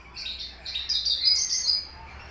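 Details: Horsfield's bush lark of the Papuan aliena race, kept in a cage three years and singing finch-like fills: a continuous, high, fast twittering phrase with bright, sharp notes, against quiet low hum.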